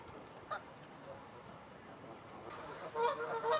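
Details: Canada geese from a flock of over 100 grazing in a stubble field in Wiltshire, UK, in October 2019, give a few short honks clustering near the clip's end over a soft steady background hiss.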